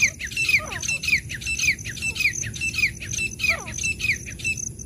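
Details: Female and male black francolin calling: loud, rasping chirps with swooping downward ends, repeated roughly every half second, with an occasional lower slurred note beneath and a faint high background tone.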